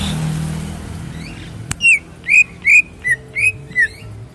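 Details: Greater green leafbird, a caged bird at a bird shop kiosk, gives a series of clear, whistled, slurred notes, about six phrases spaced roughly every half second, over low traffic rumble.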